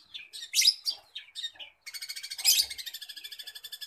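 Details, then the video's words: Long-tailed shrike, a mimic that copies other birds, runs through varied high chirps and squeaky phrases, then a fast, steady chatter of repeated bright notes borrowed from other birds; kept as a master bird for teaching other birds' songs. "Burung cendet \ pentet ci peniru ulung"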